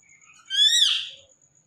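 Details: Indian ringneck parakeet kept as a talkative pet, giving a single rising then falling whistled call of under a second, with a faint steady high tone in the background.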